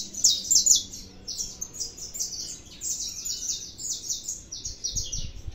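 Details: Saffron finch singing steadily: a long run of short, high, sweet chirps packed closely together, sometimes with brief gaps, over a quiet low background hum.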